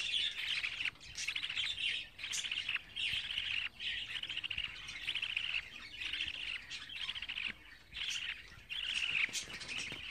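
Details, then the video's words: Budgerigar chicks 24 days old chattering in a continuous series of rough, buzzy bursts, each lasting under a second, separated by brief quiet gaps across ten seconds. "Muhabbet Kuşu Serseri'nin Bebekleri #24.GÜN"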